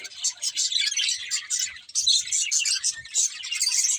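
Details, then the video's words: Brief burst of pet budgerigar chatter: high, rapid twittering and warbling from several birds, rising and falling in loudness, with a few faint low thumps. "Cute Budgies Chirping Sounds"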